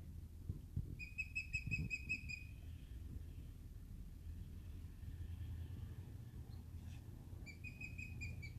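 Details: Osprey near its nest at First Landing State Park, Virginia Beach, Virginia, calling to its mate: rapid series of sharp, high chirping whistles, about eight notes in a second-long burst, a pause, then another burst, over low wind rumble.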